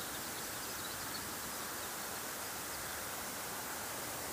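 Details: Steady, even broadband hiss like rushing water or a distant waterfall fills all 4 seconds, with no calls or other distinct sounds above it.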